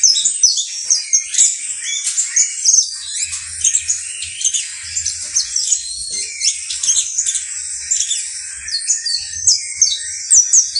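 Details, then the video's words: Saffron finch, known locally as canario basto criollo, singing a long run of high, rapid chirps and short sweeping notes in dense bursts, with brief pauses between phrases and faint low thumps underneath. "UN CANTO INCREIBLE DE CANARIO BASTO CRIOLLO"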